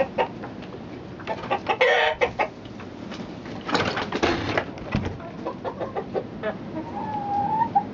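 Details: Domestic chickens making a mix of sharp clucks, a couple of loud harsh squawks, and a short drawn-out call near the end, with flock background noise.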